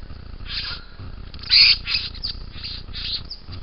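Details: A young bowerbird calls with a series of short, hoarse, hissing rasps, one loud burst in the middle and softer ones spaced about every half second, with a low background hum.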